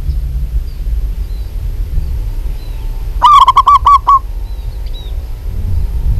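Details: A local zebra dove, actively calling, gives a fast staccato phrase of about six short throaty coos midway, with faint thin chirps of other birds before and after and low rumble throughout.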